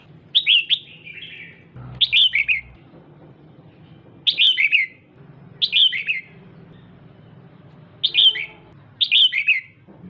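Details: Female red-whiskered bulbul stimulating a male with frequent calling: six short bursts of lively, slurred, downward-sweeping chatter spread over ten seconds, each burst a few rapid notes, with a brief low thump near the start.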